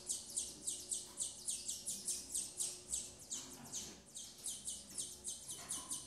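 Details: Female double-collared seedeater feeding chicks; high, sharp chirps fall quickly in pitch and repeat steadily about four times a second throughout, with quiet background.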